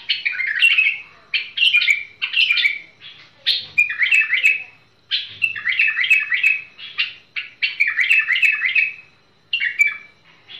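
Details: Bulbul, tamed, singing short, rich, bubbly warbled phrases of several quick notes, repeated roughly every second with brief gaps between them.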